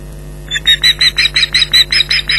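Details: Female osprey at the Loch Garten nest, Scotland, 15 July 2011, calling vociferously in defence of the nest and her young against a returning intruder: a rapid series of sharp, high whistled notes, about five per second, over a steady low hum.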